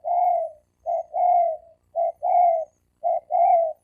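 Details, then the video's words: Fighting challenge between wild male spotted doves, 2020. Steady pairs of mellow coos, a short note followed by a longer smooth one, repeat about every second, with a faint higher overtone. "Tiếng chim cu gáy bổi đấu bổi cực chất cực hay dùng cho anh em đánh kích bổi trống đánh nhau"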